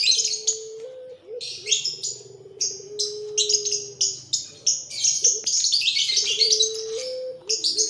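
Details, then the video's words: Barbary dove young of the puter pelung type, loud after feeding. Repeated low coos step up briefly, then hold long and even. Rapid high chirps and twitters from other birds press over them almost without pause. "bikin rame sudah pada kenyang anakan puter pelung"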